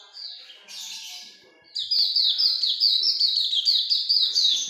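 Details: A Hume's white-eye in energetic ngalas longgun song; a few softer, buzzier twitters open, then a loud, rapid burst of thin, high descending chirps runs to the end.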